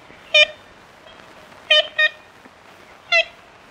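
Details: Ivory-billed woodpecker uttering four nasal tooting notes, a single note, then a quick pair, then one more, each short and reedy, with light background hiss.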